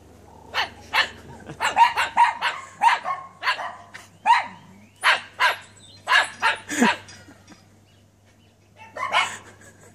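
A cockatoo barks like a dog: a dozen harsh, hoarse barks in quick irregular bursts, a pause, then one last bark over a faint low hum.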